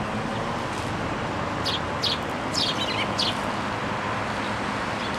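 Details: Sparrows coming to take food from a post at a Tenmangu shrine, 26 June 2024, giving a quick cluster of bright, high chirps in mid-clip over a strong, steady roar of traffic noise.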